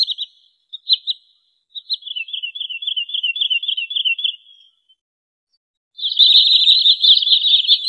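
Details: Wood sandpiper calls for trapping lure: a few separate high chipping notes, then a long rapid run of high whistled notes fading out, a pause, and a loud dense burst of fast trilled notes.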